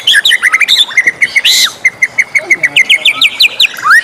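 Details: White-rumped shama morning song with quick twittering notes, a harsh buzz, then an even string of short whistles repeated about four times a second, ending in a rising whistle.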